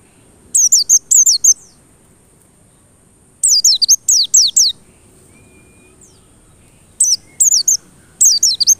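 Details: Song of a white-eye used as a lure to make white-eyes sing persistently; short groups of three or four high, steeply descending whistled notes, separated by silent pauses of one to two seconds.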